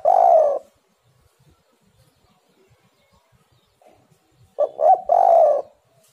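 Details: Spotted dove, called tekukur, giving a lure song: a long low coo ends one phrase, then after silence a fresh phrase of two short hoots and a prolonged vibrating coo.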